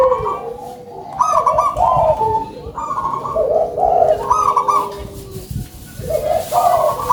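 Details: Local zebra dove (perkutut lokal), noted for a big voice and singing actively: repeated low, mellow cooing phrases with rolling, bubbling notes that rise and drop, several phrases in seven seconds with short pauses between.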